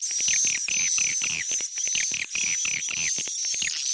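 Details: Swiftlet calling sound used by swiftlet farmers to draw birds in, a lure track styled Tarik Onar: dense, rapid high chirps and twitters repeated almost twice a second over a steady, piercing high whine.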